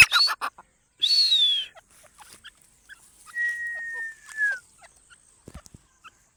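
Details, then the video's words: Partridge calls used as a hunting lure: two loud, harsh, rasping bursts with a rising-then-falling tone, followed by a long, clean whistle that slides slightly downward, then faint scattered chirps. "teetar ki awaz"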